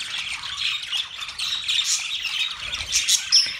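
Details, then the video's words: Budgerigar chatter from Australian parrots: overlapping squawky warbles and fast chirps, slightly quieter overall, ending in a sharp high whistled note near the close. "Budgies chirping sound"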